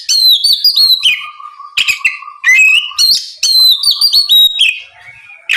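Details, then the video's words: Oriental magpie-robin in full loud song to provoke a rival into replying: bright whistles and descending slurs, harsh accents, over a steady low hum-like tone held beneath several phrases. "SUARA BURUNG KACER GACOR NGEPLONG MEMANCING KACER LAWAN AGAR LEKAS BUNYI NYAUT & GACOR!"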